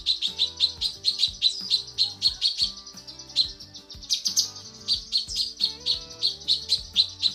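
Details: Calling female cucak kinoi, recorded as tutor material, gives a long rapid series of piercing chirps, about four each second. A strained, brighter burst comes midway, with music playing underneath throughout.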